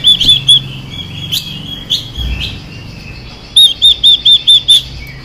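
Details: Female Chinese hwamei singing to excite males: a few whistled notes and soft scattered sounds, then a crisp series of six loud, evenly spaced arched whistles.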